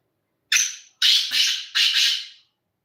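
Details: Black francolin calling with three loud, grating bursts, the opening one carrying a thin high whistle, the next two doubled and rasping, within about two seconds.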